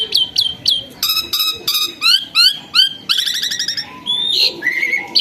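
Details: Myna that became tame and vocal, pouring out rapid series of rising whistled notes with buzzy harmonics, repeated several times a second, ending in falling and flat whistles.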